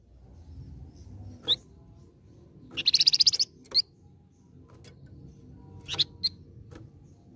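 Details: Golden-headed cisticola lure song, sung vigorously to draw a quick reply: a short rapid buzzy trill of high pulses, then scattered sharp high single notes over a low background hum.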